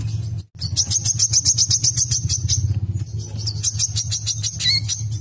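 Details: Olive-backed sunbird song used as a lure to get other birds singing: rapid high, thin trills of repeated sharp notes, several runs, over a steady low hum.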